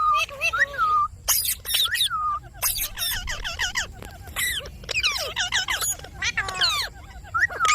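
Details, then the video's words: A pet talking Indian ringneck parakeet chatters in bursts of clear, speech-like phrases mixed with sharp squawks and whistled notes that swoop up and down. "Talking parrot video|Ringneck parrot video|Parrot sound video|Parrot voice video"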